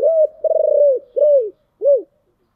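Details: Close spotted dove in giọng thổ style: a clear coo, a rapid rolled note, then two rounded falling coos, crisp and isolated.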